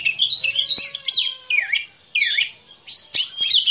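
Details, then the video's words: Kept black-breasted Oriental magpie-robin singing a varied run of loud whistled phrases: sliding notes, up-and-down swoops and sharp chips, separated by brief pauses. "KICAU KACER DADA HITAM"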